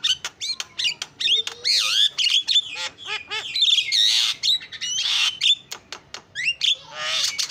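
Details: Javan myna singing actively in a full song with mimicked phrases: a busy string of sharp whistles, rising and falling slurs, harsh buzzy bursts and squawks, with brief gaps between phrases.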